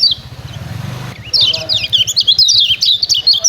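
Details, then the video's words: Lemon-bellied white-eye giving rapid 'ciak ciak' chatter, a recording used as a training model to get kept birds singing. A second of low rumbling noise comes first, then quick, high, downslurred chirps tumble in a dense, uneven run. "CIAK CIAK JOSS KECIAL KUNING AMPUH"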